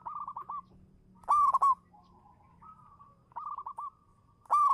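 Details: Champion local zebra dove used as a lure: a rapid run of stuttered coos, a loud rolling burst, soft level connecting notes, then the pattern again, with a faint low hum in the background.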